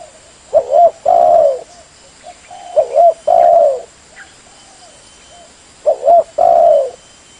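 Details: Spotted dove calls used for luring birds: low hoarse cooing phrases, each a couple of short soft notes leading into a longer drawn-out coo, repeated in three bouts a few seconds apart, with a faint steady hiss behind.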